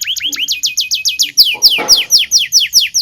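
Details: Local canary singing vigorously, a lure song for canaries learning to sing: rapid hooked whistled notes repeated about seven per second, then brighter descending sweeps with a brief noisy burst in between.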